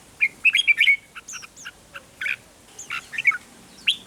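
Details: Red-whiskered bulbul 'rik' song for exciting caged birds. Fast bubbly chirps open the clip, then scattered softer chirps and notes follow over a hissy background.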